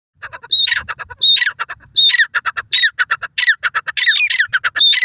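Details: White francolin, locally sofad dakhni teetar, giving loud harsh squawking notes in quick irregular bursts, each with a sharp whistled onset and a falling buzzy tail, around eighty notes a minute, with no other sounds.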